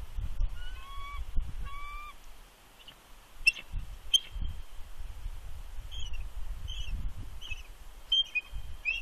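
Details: Bald eagle warning vocals at a Big Bear nest as an intruding adult eagle approaches the incubating female: two high whistled notes, then after a pause, thin sharp chirps scattered over several seconds. Faint low wind noise.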